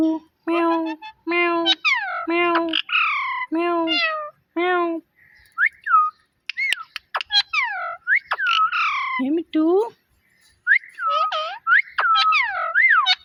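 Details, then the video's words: Pet parrot copying a cat, with five or six steady harmonic meows repeated about every half second, then a string of sliding whistles and squeaky chirps mixed with more meow-like calls. "Cute Talking Parrot Video"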